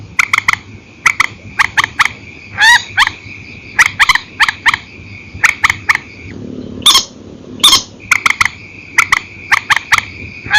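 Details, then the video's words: Purple swamphen at night, an old recording of single and paired calls: rapid clipped notes in pairs and triplets, with a few louder rising squeals in between and a steady high hum. "Tiếng trích hay file cũ TRÍCH 29, đánh đơn đánh kẹp ok"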